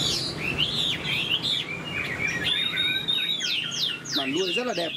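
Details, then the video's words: Moulting Chinese hwamei kept in a cage, a big bird singing high: rapid bright whistles and slurred phrases, some very high, ending in fast descending warbled notes, over a low background rumble. "Chim họa mi đang thay lông, bộ to đẹp, hót cao cầu"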